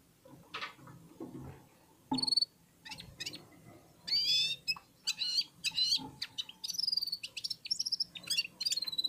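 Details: Red-fronted serin warming up, singing together with other birds: a few scattered chirps build into fast, dense, high twittering with buzzy trills that runs on almost without pause.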